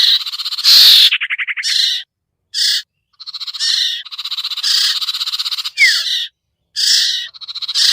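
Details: Sirtu bird lure calls for luring hard-to-descend birds: a loud harsh burst into a rapid rattle, then a string of raspy buzzing phrases, some short and clipped, some long, with brief gaps between them.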